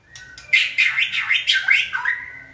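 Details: White-rumped shama in training, urged on by a person to sing: after a soft lead-in note, loud rich warbled phrases with buzzy and slurred notes pour out, ending in a long steady whistle.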